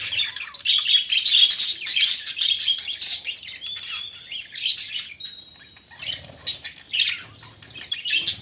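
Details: Budgerigars in a pair shown as lovers, producing dense, rapid warbling chatter of scratchy chirps and squeaks, with short whistled notes near the middle, continuous throughout.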